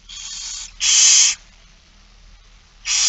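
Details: Hoarse, sustained hissing screeches of barn owl young begging during feeding, Friesland, Netherlands, September 2019; three screeches, the middle one loudest, with a quiet gap before the last.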